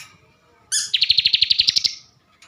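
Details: Single phrase from a captive bar-winged prinia of Slawi, Central Java: a sharp high opening note followed by a rapid, slightly rising trill of about a dozen pulses.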